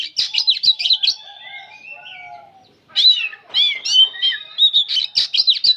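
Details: Old oriental magpie-robin, locally called kacer, singing without stopping: fast, scratchy chattering bursts of high notes, a few drawn-out lower whistles, then another dense rattling run of sharp twittered phrases.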